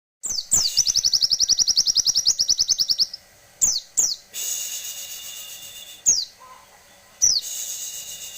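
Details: Grey-cheeked tit-babbler singing: a fast run of about twenty-five high, sharply repeated notes over roughly two and a half seconds, followed by scattered sharp descending chips and hissy noise bursts.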